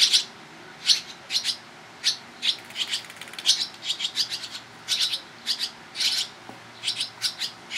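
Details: Barn swallow nestlings calling while parents rapidly feed them, July, Toronto, Ontario, Canada: high, sharp chirps repeated in loose clusters, each a quick buzzy note, steady throughout.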